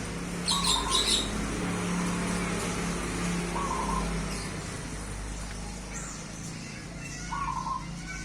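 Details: Wild zebra dove from Truwolu village, Ngaringan, Grobogan, Indonesia, a local bird that flew into a house; short low coos recur about every three seconds over steady low hum, with faint high chirps from other birds.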